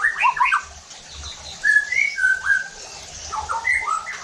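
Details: White-rumped shama song for provoking rival shamas: a quick cluster of whistles, then drawn-out clear whistled notes and rapid short phrases, roughly four notes per second.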